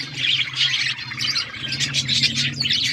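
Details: Many budgerigars chatter together in an outdoor aviary, with rapid high chirps and squawky warbles piling over one another. A low steady hum runs underneath.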